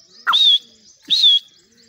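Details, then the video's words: A caged grey francolin (teetar) in Pakistan calls from the cage door: two loud, shrill, ringing notes about a second apart, each swelling slightly then holding level, with a brief lower click at the start. "teetar calling"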